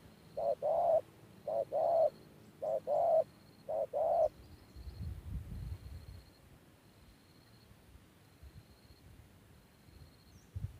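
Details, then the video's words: Decoy spotted dove luring wild birds coos four times in quick succession, short note then longer coo, before falling silent; a faint high ticking repeats in the background alongside low rumbling noise. "Cu gáy"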